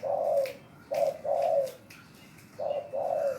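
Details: Clear hoarse cooing from a spotted dove that sings when asked: two-note phrases, a short coo then a longer falling one, given about every second and a half in a quiet room.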